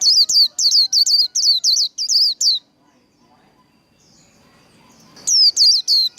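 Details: Japanese white-eye singing the líu đấu fighting style: a fast chain of shrill, descending high whistles for over two seconds, then a quiet spell with soft shuffling sounds, then the whistles start again.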